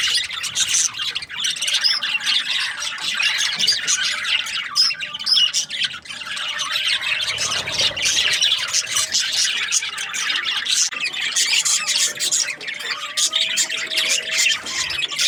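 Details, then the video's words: Budgerigars during breeding season, many birds chattering together: a dense, continuous wall of high chirps, squawks and warbled notes with no pauses, plus a faint steady low hum underneath. "Happy budgies chirping sounds | breeding season"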